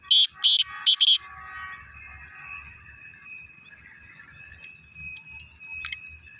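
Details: Black francolin (Francolinus francolinus), call.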